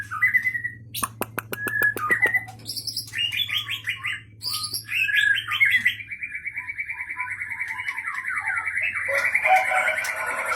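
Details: White-rumped shama of the Aceh Leuser strain, caught in 2013 in Pining district, Gayo Lues, Aceh, singing long natural fills likened to a rolling waterfall: whistled notes, rapid clicking trills, then a long buzzy rolling trill, over a low hum.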